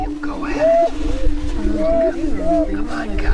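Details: Lek near Crookston in northwest Minnesota, 27 April 2013, Greater prairie-chicken mating ritual: a level low hum with a few clear rising-falling whistled whoops, amid strong low wind rumble.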